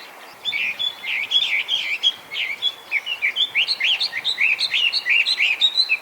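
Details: Chinese hwamei, a designated invasive alien bird living wild in Japan and known for mimicking other birds, pours out a dense, jumbled song of rapid chattering and whistled notes, roughly three per second, after a brief quiet start.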